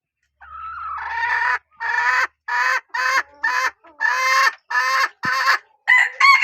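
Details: Female chicken from a strain known for strong calling gives a run of about nine loud, harsh, harmonic squawks, each under a second long, separated by short gaps, in quiet surroundings.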